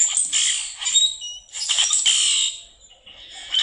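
A Common Grackle gives harsh, buzzy, clicking bursts with no steady rhythm and hardly anything melodious, two scratchy rasps in quick succession.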